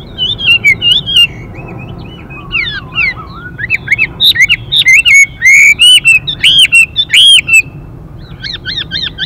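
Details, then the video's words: Male Chinese hwamei singing continuously in the đảo giọng style: varied looping whistles and slurred notes building into loud rapid phrases, closing with a run of quick repeated chirps. "Họa Mi Mái Và Trống | họa mi hót Đảo Giọng liên tục kèm thêm tiếng chim mái xùy kích bổi nhanh"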